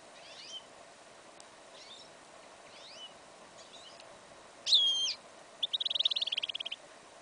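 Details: Goldfinch and yellow isabel canary hybrid in a field in winter, incomplete song: soft scratchy notes, then a loud buzzy burst followed by a fast rattling trill of about twenty even pulses.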